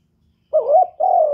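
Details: Spotted dove giving a short two-part coo: a wavering first note, a brief dip, then a longer, steadier low hum. Clean recording with silence before the call.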